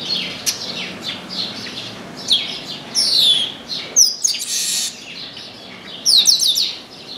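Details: Chestnut-capped blackbird singing persistently in an orange tree: clear descending whistled slurs, grating buzzy bursts, and a ringing trill near the end, set against steady high chirping.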